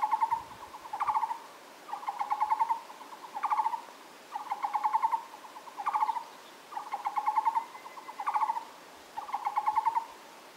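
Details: Taiwan barbet song in steady phrases. Each is a quick run of resonant, knocking low notes, repeated roughly every one and a half seconds, about seven phrases in all, over a calm background.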